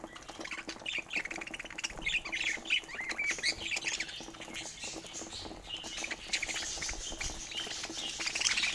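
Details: Rare mutation budgerigars kept indoors under natural Scandinavian light: a steady stream of soft chirps and scratchy warbling twitters over a rustling, pattering background.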